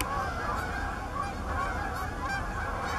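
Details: Many Canada geese honking together at Bass Ponds, Minnesota, in late November 2013 while looking for open water; a thick wall of overlapping honks over heavy low-frequency rumble, no pauses.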